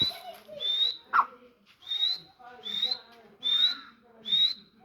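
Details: Grey francolin calling: a series of short, high, thin whistled notes that rise slightly, repeated roughly every 0.8 seconds, with softer lower clucking sounds in between.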